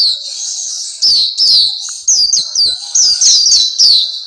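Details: Black-capped white-eye (Pleci Papua) opens with a thin sustained high note, then bursts into lively runs of sharp, descending chirps repeated in quick succession.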